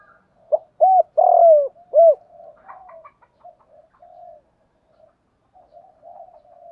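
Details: Spotted dove coo meant to rouse males being trained: one clear phrase of four mellow notes, the third long and sliding down, followed by several seconds of faint, low murmuring coos in the background.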